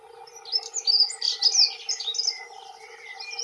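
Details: Male dunnock territorial song, two birds involved: a hurried, high, jangling warble of squeaky twittered notes peaking midway then fading into thinner trills, with continuous low humming noise behind.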